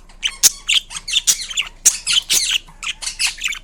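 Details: Indian ringneck parrot kept as a pet, producing a quick series of harsh, raspy squawks and clicks, each burst short and loud, repeated roughly every quarter second.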